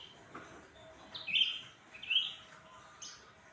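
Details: Black-headed bulbul, known locally as cucak ranting, sings loudly after being fed crickets and sunbathed: two strong, slightly buzzy whistled phrases less than a second apart, then a higher note.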